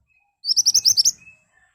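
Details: Ashy tailorbird song used as a lure to make birds answer: a crisp burst of about seven ringing high notes delivered in quick, even succession, under one second long.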